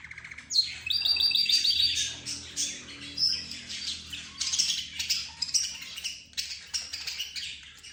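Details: Budgerigars, zebra finches, a canary and the 'roz' bird together; continuous squawky chatter with rattled trills and scratchy chirps, one voice over another with short pauses between bursts.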